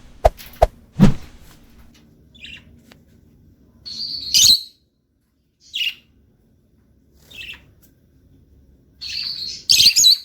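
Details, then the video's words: Lutino lovebird singing: a few knocks and bumps at the start, then a quiet gap, then scattered short shrill chirps and brief buzzy bursts, with a denser burst of chirping near the end. "singing love birds"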